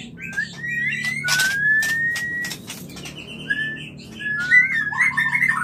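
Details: Clear-voiced white-rumped shama mating call used to spur mating: long drawn-out whistles gliding slightly upward, separated by loud clicks, then short piping notes and a final flurry of bright warbled whistles.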